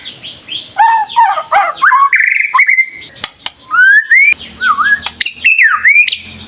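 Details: White-rumped shama song played to get other shamas singing: rich varied whistles, some sliding up, some warbled, in quick bursts separated by short pauses, with a steady high electronic tone throughout.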